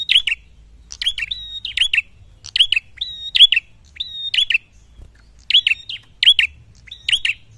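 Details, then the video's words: A red-headed prenjak prinia in full song gives sharp, high, chipping phrases, quick bursts of rising and falling notes repeated every half second to second, seeking a rival. "Prenjak Pala Merah Gacor Mencari Lawan"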